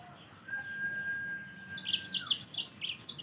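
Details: Yellow-fronted canary song used to tutor other songbirds: a long, steady, level whistle slides down at its end and gives way to a rapid sequence of high, bright chirps.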